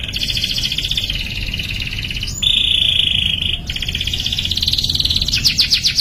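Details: Canary singing for training young canaries: long sustained high trills that shift pitch in steps, a clear held whistle mid-phrase, ending in fast pulsed notes.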